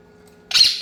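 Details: Angry Indian ringneck parakeet, a pet bird kept indoors, gives one short, harsh, loud screech lasting about a third of a second after silence, with a faint steady hum underneath.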